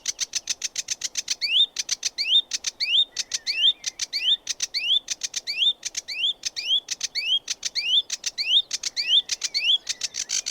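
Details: Sedge warbler in continuous song: fast rattling clicks in steady runs, each group ending in a sharp rising whistled note, repeated about every half second for the whole stretch.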